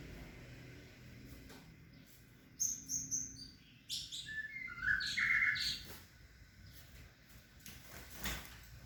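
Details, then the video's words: White-rumped shama, male being introduced to a female and not tolerating her: bursts of bright chirps and short whistled notes in the middle of the clip, with faint background hum. "Chòe lửa mái tới nái"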